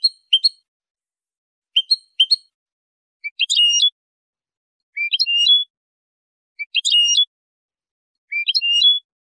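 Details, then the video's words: European goldfinch, clean-style song: paired sharp chirps followed by repeated short trilled phrases about every one and a half seconds, clean and without other sounds. "canto del jilguero limpio"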